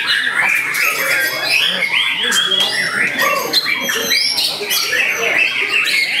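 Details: White-rumped shama, a young contest bird of about eight to nine months, pouring out fast, varied phrases: clear whistles, short upward and downward sweeps and scratchy chatter, continuous and loud.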